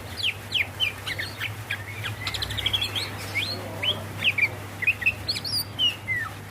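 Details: A female greater green leafbird calling the male gives a lively stream of varied chirps, quick slurred whistles and short twitters, over a continuous low hum.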